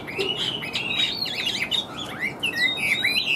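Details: Chinese hwamei in full voice: varied bright whistles, rapid upward and downward slurs following each other without pause across the whole stretch.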